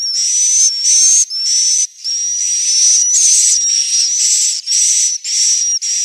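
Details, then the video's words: Roosting call of swiftlets from Central Sulawesi, Indonesia: long, high, hissy buzzing chirps carrying a thin whistled line that wavers slightly, run together in a near-continuous chain with short breaks. "Suara asli, inap walet abadi 01"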